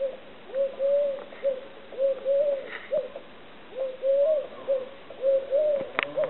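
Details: Eurasian collared dove cooing steadily, with repeated phrases of a short note, a longer drawn note and a brief clipped ending, about four phrases in a row, with a few faint clicks and knocks.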